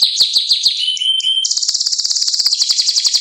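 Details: Domestic canary song. Fast repeated chirps give way to a brief pause and short whistles, then a long, rapid, bright rolling trill.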